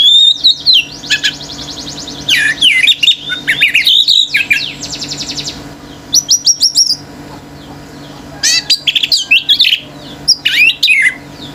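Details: Male orange-headed thrush in a nonstop, intense singing bout that sets other birds raging: rich, rapid, high phrases of sharp chirps, rattling trills and whistled slurs, delivered in bursts separated by short pauses.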